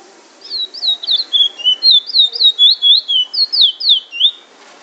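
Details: In Trinidad, a Chestnut-bellied Seed-Finch, locally called bullfinch, sings a quick run of about fourteen sweet, slurred high whistles, rising and falling, in a 'drawl and wheet' style.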